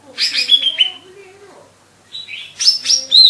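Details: Lesser green leafbird, kept songbird in full song, sings rapid bursts of bright, chattering high notes with sharp whistled slurs, broken by a short pause, with faint low tones underneath.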